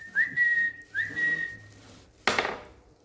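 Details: Indian green ringneck parrot kept as a pet, perched on a bed, giving two level whistled notes, each starting with a quick upward flick, followed by a sharp knocking clatter.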